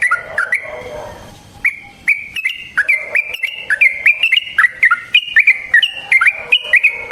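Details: Yellow-vented bulbul's long fighting song, used to lure other bulbuls into responding and for training. After a short quiet start, bright, liquid whistled notes pour out in a fast, warbling sequence.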